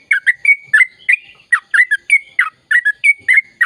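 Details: Sooty-headed bulbul in a fast gacor ropel song used to stimulate silent birds to sing: dense, irregular bursts of loud, liquid, bubbly whistled notes, some held briefly, in quick succession.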